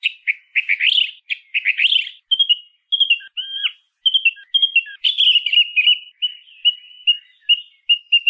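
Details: Song thrush song, from a bird widespread in towns and farmland: a rich run of scratchy twitters and clear whistled notes, with short motifs repeated several times in quick succession. Clean background.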